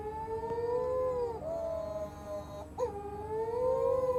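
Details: Young storm petrels hidden in bushes on Matamanoa Island, Fiji, where the species breeds, crying through the dark night: long, mournful wailing cries that waver up and down, breaking briefly twice, over a low steady hum.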